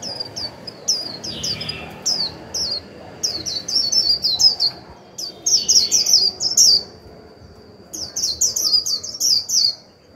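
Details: Decoy Japanese white-eye repeatedly singing 'líu' to provoke wild birds: several fast bursts of very high, thin, downslurred twittering notes separated by brief pauses, against a constant faint high tone.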